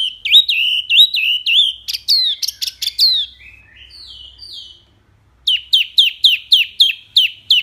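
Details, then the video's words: Loud, clear mini wambi song of the kind used as a master for training songbirds: fast bouncing warbled notes, then buzzy rattled chirps, a soft pause, then a run of sharp down-curving chips repeated about three times per second. "BURUNG WAMBI MINI GACOR SUARA BANYAK LANTANG JERNIH"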